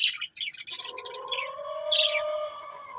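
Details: A breeding pair of colourful budgerigars gives quick high chirps that lead into a longer, drawn-out harmonic warble with a bright squeaky note on top.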